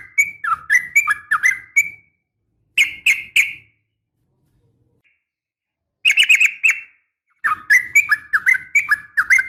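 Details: Yellow-vented bulbul female calling a male with a sharp fighting call meant to set bulbuls answering; quick bubbly phrases of dipping whistled notes alternate with short triple chirps and silent gaps.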